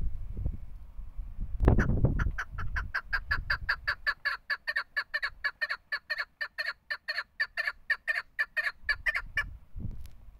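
A female chukar gives a fast run of harsh, clucking chuk notes, about four or five a second, with low thumps and handling noise at the start and end.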